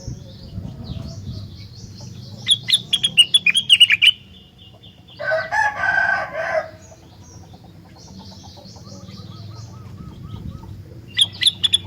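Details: Rengganis song played to trigger answering song from other rengganis. Rapid strings of sharp, bright chirps repeat at intervals. A broad, rasping chatter burst sits between them, and faint background twittering continues throughout.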